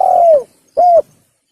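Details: Spotted dove call played as a hunting lure: two low, smooth hooting coos, the first longer and gently falling at its end, the second shorter and arched, separated by a brief silence, with no other sounds.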